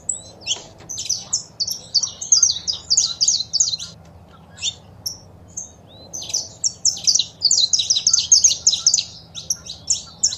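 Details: Saffron finch female calls and male singing, played to stimulate a pet bird: dense bursts of high, sharp chirps and short buzzy notes, clustered into quick runs with brief pauses between them, over faint low background hum.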